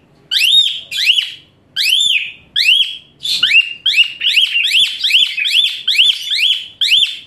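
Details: Loud, high-pitched Asian pied starling song used to train fighter songbirds: a long series of about a dozen sharp upswept whistles, widely spaced at first, then coming faster and more evenly, roughly two per second.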